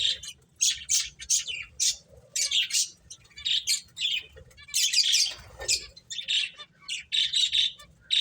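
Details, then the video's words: Several cute finches playing and chirping busily, short high bursts overlapping several times a second with quick sharp tweets mixed in. "Beautiful Birds Chirping Sounds | Cute Finches Playing"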